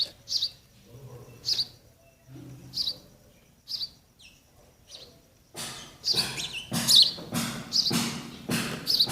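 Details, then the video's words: Sparrow nestlings awaiting food from mother and father: spaced high chirps at first, then a faster burst of louder, noisier chirps with broadband rustling in the second half. "Baby sparrow birds waiting for mother & father to feed"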